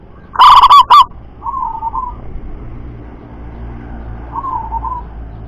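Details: Zebra dove of local wild stock delivering one loud, rolling 'double kuk' coo of quick stuttered notes, followed by two much softer, drawn-out trilled phrases fading into quiet background noise.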